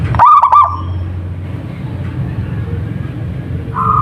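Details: A short, loud, stuttered cooing burst from a local zebra dove opens the clip, then quieter continuous humming tones and low background noise follow.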